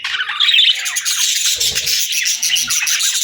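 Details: Parakeets in summer chattering in a dense, scratchy stream of high chirps and squawks, with brief low thumps partway through.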